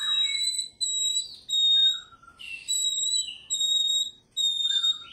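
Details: White-rumped shama song used as a lure to make fighter birds sing: clear pure whistled notes held steady at high pitch, some sliding downward, delivered in phrases separated by short pauses.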